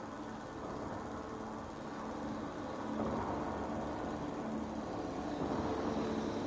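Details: A steady, dense broadband rumble like engine or wind noise fills the recording, with no clear animal calls.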